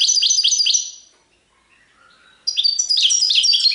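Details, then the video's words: Goldfinch song of the serfati tiwawati style, opening with quick, high, liquid twitters that fade out, then a near-silent gap with a few faint notes before a dense, sparkling burst of mixed trills returns. "تغريد حسون سرفاتي تيواواطي"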